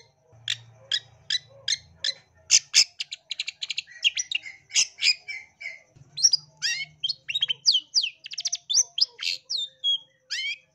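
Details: East Java long-tailed shrike, played as a lure to make other birds sing aggressively. Long, lively song of evenly repeated sharp notes building into fast rattling trills and twisting whistles, with a faint low hum at times.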